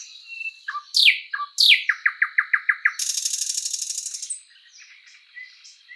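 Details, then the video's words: Thrush nightingale in spring woodland: two loud descending whip notes, a quick string of six clicking chirps, then a long rapid metallic rattle fading into quiet twitters. "Bird sounds Nightingale bird singing"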